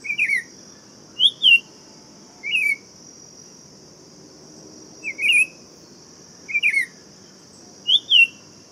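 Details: Buff-throated saltator song of short, looping whistled phrases, six in the clip with a longer pause midway, backed by a constant thin, high hum.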